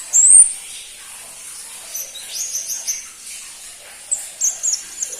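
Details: Crimson-breasted flowerpecker, known locally as pentis pelangi, a bird rarely kept by songbird hobbyists: one loud thin high chirp at the start, then scattered faint, sharp high notes in short bursts near the end.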